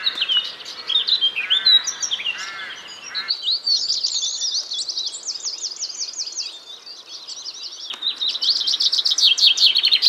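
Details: Blackcap singing in spring as winter turns to spring, a beautiful intricate song: rapid varied warbling phrases with fast trills and buzzy notes, other birds calling and replying nearby.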